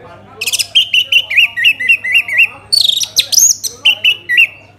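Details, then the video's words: Orange-headed thrush, used as a lure for other birds to sing: a rapid even series of short whistled notes that dip and rise, then a loud scratchy high burst and more repeated whistles. "Pancingan ANIS MERAH agar cepat Berkicau Gacor"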